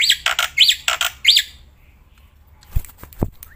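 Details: Black-winged myna held in the hand, still calling loudly. Five harsh, squawking arched notes in quick succession, then near silence with a couple of low thumps.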